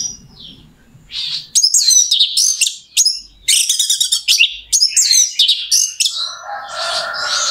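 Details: Lure song of an Orange-headed thrush meant to excite another bird into singing; dense bursts of sharp, high, rapidly repeated notes separated by short gaps, ending with a steady lower hum in the background.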